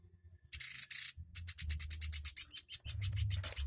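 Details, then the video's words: Chattering woodpecker used to tutor songbirds: after a short hissy burst, a rapid run of sharp ticking chips, about three per second, grows louder, with low droning noise throughout. "Burung Pelatuk Super Gacor"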